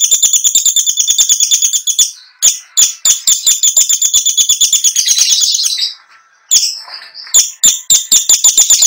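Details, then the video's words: Caged long-tailed shrike in full mimicry song, trophy-winning. A fast series of ringing ticks repeats about six times a second, followed by harsh bursts with short pauses. "PENTET GACOR FULL ISIAN | LAGU MEWAH | NGEROLL NONSTOP"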